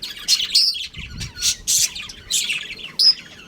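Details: Breeding pair of pet budgerigars kept at home: bright, high chirps and short squawky notes in quick bursts, several loud accents spaced irregularly across a few seconds.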